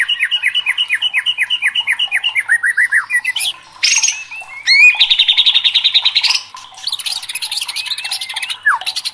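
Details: Worked-up white-rumped shama, a contest songbird, delivering long rapid series of repeated downslurred chirps, a high trill, a buzzy rattling stretch and a final sweeping whistle.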